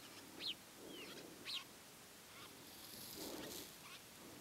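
See-see partridge giving two sharp, high whistled notes about a second apart, then fainter whistles, over a soft background hiss.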